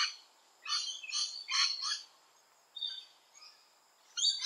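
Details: Rainbow lorikeet visiting a garden, giving four loud grating screeches in quick succession, then fainter chatter and another harsh shriek at the end.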